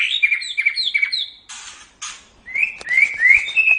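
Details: Caged white-rumped shama singing, used as a training recording for pet songbirds: clear whistled phrases near the middle of the range, then a gap with a short noisy burst, then rising slurred whistles repeated quickly.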